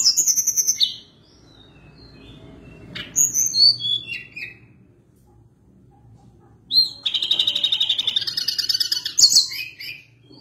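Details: Mountain tledekan, the Sunda blue robin, delivering an extended rolling song: a sharp trill, then descending whistled notes, a pause, and a long buzzy rattling trill of rapid pulses lasting several seconds.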